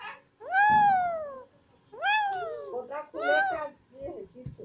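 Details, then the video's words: Pet green Alexandrine parakeets chattering indoors: three drawn-out, arching tonal utterances, each sliding up and then down, followed by softer murmuring sounds. "Green Alexandrine Talking Parrots"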